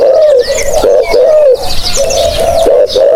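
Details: Spotted dove call used to lure birds: dense, nearly unbroken soft coos rolling one into the next, each slightly falling, with busy high chirps and twitters from other birds throughout.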